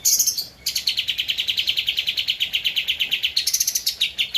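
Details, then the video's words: Javan white-eye singing energetically for a master recording to train cage birds: a loud, high, chattering trill of rapidly repeated notes running almost without pause, shifting pitch slightly near the end. "Kapas Tembak Gacor untuk Masteran (suara asli)"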